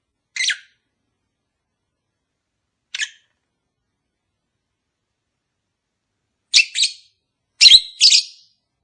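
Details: Caged pet lovebirds, a pair not yet mated, calling: sparse single sharp chirps, then paired shrill screeches near the end.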